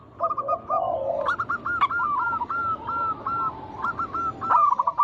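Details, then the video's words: Local zebra dove singing steadily, used to lure other doves into song: a lower gurgling coo, then a rapid run of clipped, stuttering notes with small rising flicks, repeated with brief pauses; faint rustling behind. "Pancingan burung perkutut lokal alam gacor suara mengundang bunyi langsung emosi"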